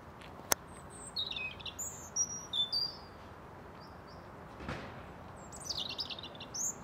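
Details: European robin at Ljubljana Botanical Garden, Slovenia, 30 January 2023: thin, high, wistful warbled phrases with short trills and brief pauses. A sharp click and a brief rushing noise break in.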